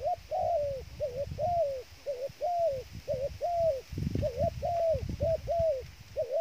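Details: Bait dove cooing in a rapid steady series, roughly once a second, each phrase a short hooked note and a longer sliding coo, with a brief burst of low noise midway.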